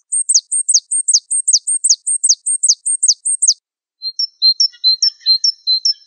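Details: Java sparrow of the Wingko type in a training recording: a run of high descending whistled notes, a brief pause, then quicker two-note chirps.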